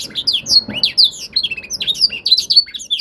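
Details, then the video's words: Singing young canary being trained to imitate tutor song, giving quick bright chirps and sliding whistled notes in a busy high stream over a low murmuring background hum. "Proses pemasteran kenari paud (singing training season)"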